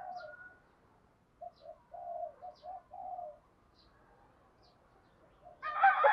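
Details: Decoy spotted dove calling wild birds in 'ba hậu' style, also known as 'bổ ba': a row of soft, muffled coos over a faint background hiss, with a sudden burst of louder noise at the end.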